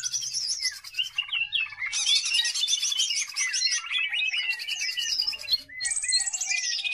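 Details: Lure song of a caged greater green leafbird, used to train other birds: long unbroken stream of rapid whistles, squeaky chips and buzzy trills, varied and energetic, closing with a high drawn-out buzz.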